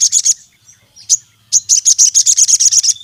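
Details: Sogon songbird in energetic song aimed at rival sogon birds: a short rapid burst, a single sharp chirp, then a fast high buzzy trill of about fourteen repeated notes.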